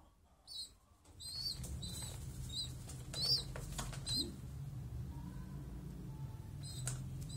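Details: Small pigeon making a run of thin, high squeaks, roughly one per second, against a steady low hum and some faint rustling.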